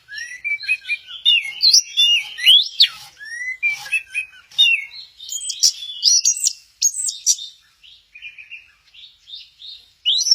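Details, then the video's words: Orange-headed thrush from Kesamben, in 'goyang inul' mode, sings a long varied medley of whistled slurs, rising sweeps and chirps, phrases coming about once a second with uneven pauses. "Burung Anis merah, lagi goyang inul"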